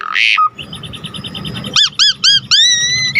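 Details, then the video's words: Asian pied starling in full, lively song, used as a tutor recording for other birds: a harsh, noisy burst, then a run of repeated whistled notes and loud rising-falling whistled arcs, some stretched into long rising slurs. "Jalak Suren GACOR Full Isian"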